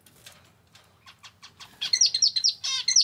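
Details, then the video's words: Captive male zebra finch, kept as a household pet, opens with soft, evenly spaced introductory notes that speed up. It then breaks into a loud, buzzy, nasal song phrase with repeated sharp high motifs. "キンカチョウのさえずり・鳴き声 集めました②｜個性的なオス達 かわいい鳥 Cute Zebra Finch Songs 🎵 sing sounds calls"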